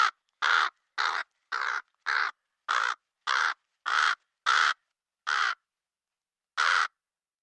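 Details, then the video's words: Rapid run of about eleven short, harsh caws from a black crow, nearly two per second, with a brief pause before the last, in clean silence. "The sound of the Black Crow"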